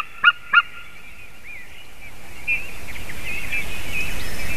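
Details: White-tailed eagle recorded on 28 March 2019 at 06:26 gives two loud, sharp yelping notes in quick succession, then fainter high chirps over a steady background hiss.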